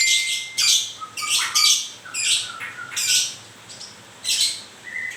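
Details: In moult, a white-rumped shama utters scratchy, broadband chatter phrases mixed with short flat whistles, in irregular bouts about a second apart.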